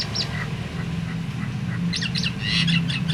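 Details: Myna calling to coax other mynas into song: a few scattered short notes, then a livelier cluster of sharp whistled and harsh calls near the end, with a steady low hum throughout.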